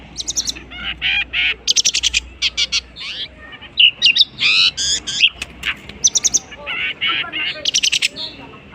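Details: Long-tailed shrike, a noted mimic of other birds, singing a dense medley of harsh buzzy notes, rapid chatters and short whistles packed closely together.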